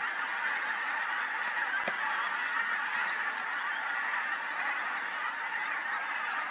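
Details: Pink-footed geese at Montrose Basin in October 2020: many birds calling at once, their honks merging into a continuous dense chorus with no pauses.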